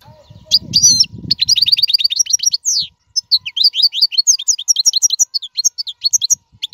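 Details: European goldfinch singing, a recording meant for tutoring caged fledglings: after a soft rustle, a long unbroken stream of quick, bright twittering notes and short trills, with tinkling and buzzy elements mixed in.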